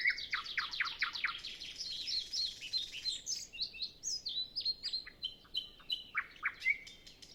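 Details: Nightingale singing before sunrise on a windless morning with other birds silent: loud rapid repeated notes open, followed by a long stream of varied chirps, whistles and sharp sweeps.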